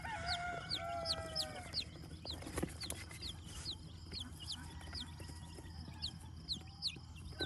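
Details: Silver Laced Polish chick on a small farm in Vermont, US, giving thin high peeps, each a quick downward slur repeated irregularly about twice a second, over a steady low hum and background rustling.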